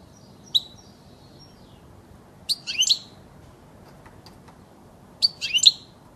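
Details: European goldfinch recorded as an error-free original voice for training young birds to sing: three short bursts of high, sharp twittering notes spaced a couple of seconds apart, with quiet gaps between them.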